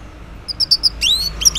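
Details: Orange-headed thrush morning song, played as a lure to get quiet males to answer: short high chips followed by a long rising whistle and quick twittering notes.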